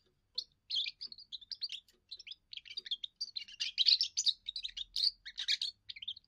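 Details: A young European goldfinch delivers its first song, for territory defence and courting females: steady rapid twittering and chirping for about six seconds, growing louder in the middle, with a faint low rumble behind.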